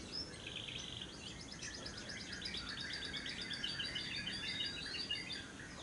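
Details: Lovebird in long ngekek trill, played to lure lovebirds into song: fairly faint, rapid, high rattling notes running continuously through the recording under background hiss.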